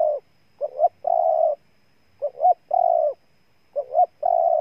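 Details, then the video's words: Spotted dove in Ninh Thuận, Vietnam, repeating its three-part coo about three times: a short note, a swelling rising note, then a long steady buzzy coo. "Cu Gáy Ninh Thuận"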